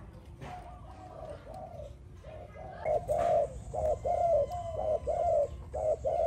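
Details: Spotted dove cooing builds from faint, noisy notes to a run of loud, clear arched coos about one a second, with a sharp click early on and a light background hiss.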